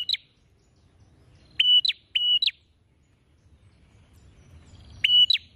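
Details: Prinia calling energetically with beak wide open: isolated pairs of sharp, high, clicking chirps separated by pauses, over faint low background rumble.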